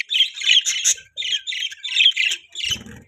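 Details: Budgies chirping in a breeding setup, a run of raspy, warbling squawks in short pulses, ending with a soft low rustle.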